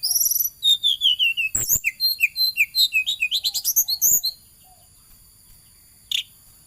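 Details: Flowerpecker singing lively while chasing about: a rapid run of high, thin chirps sliding downward, about two dozen short notes in four seconds, then near silence broken by one sharp chip.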